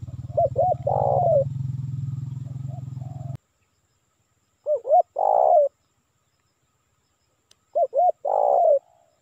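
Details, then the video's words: Lure call of a spotted dove meant to attract wild doves: three phrases of two quick clipped coos and a drawn-out purring coo sliding downward, a low hum fading out after the first phrase. "Suara Pikat Tekukur Memanggil Burung Liar"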